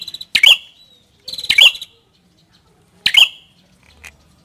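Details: Three loud, high phrases from a prenjak kepala merah, a prinia, each a fast buzzy rattle ending in piercing chips, separated by pauses of about one and a half seconds; faint low rumble near the end.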